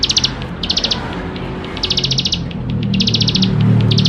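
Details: Plain prinia in full song, meant to prompt young prinias to sing quickly: clipped bursts of rapid high trilled notes alternating with brief gaps, while a low rumbling noise swells toward the end.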